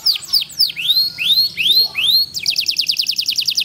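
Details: A small pet canary singing a competition-style song with a distinctive cengkok phrase, a series of high rising upswept whistles followed by a fast, even trill of repeated notes.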